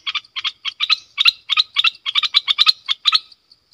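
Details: A caged decoy bulbul, recorded 18 December 2021, gives rapid, scratchy double-note bursts, about three or four a second, in a steady chattering run. No other sounds are heard.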